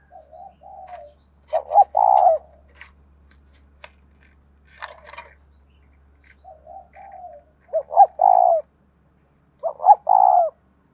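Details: Cage-bird spotted dove, 'giọng đồng thổ' song style. Soft low coos at first, then three strong phrases of two short notes leading into a long steady coo. Scattered clicks and taps sound in between.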